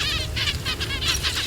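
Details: Zebra finches in the wild in the drylands of NSW and Queensland, Australia, June 2021, after a population boom, give short, nasal, beeping calls in quick staccato bursts, several birds overlapping from a flock, over a low background rumble.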